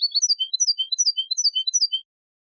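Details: European goldfinch singing a fast, tinkling twittered phrase on a copia tape for tutoring young goldfinches and hybrids. High liquid notes cycle rapidly for two seconds, then silence.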